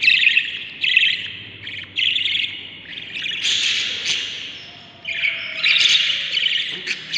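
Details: Seven baby Budgerigars inside their nest, day 38 of breeding; short harsh rasping squawks in bursts of roughly one second, separated by brief pauses, some overlapping into a longer noisy chorus.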